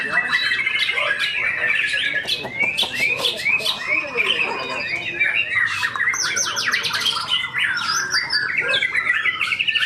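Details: Indonesian song contest: a tame white-rumped shama unleashes mimicked fill-in song, bright high twittering and sharp chips building into fast trills and rising whistles, other contest birds and voices faint in the background.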